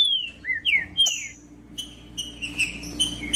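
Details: Singing green-winged saltator, known in Brazil as trinca-ferro, used to stimulate other birds: a few loud clear whistles sliding downward, then softer drawn-out whistled notes, over a quiet low electrical hum.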